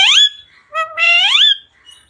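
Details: Pet parrot talking: two loud, harsh, harmonic utterances. The first is short and falling. The second is longer and rises in pitch before it breaks off. No other sounds are heard.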